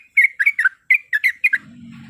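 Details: Female yellow-vented bulbul calling a male, meant to provoke a rival: eight quick bubbly whistled notes in two short groups, then a low droning hum.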